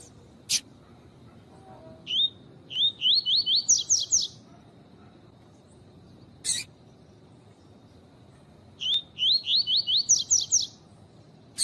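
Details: A double-collared seedeater sings two bursts of quick, rising, slurred notes climbing in pitch, split by sharp high clicks, over a steady faint hiss, in a recording meant to train and excite captive males, said to include a female's call.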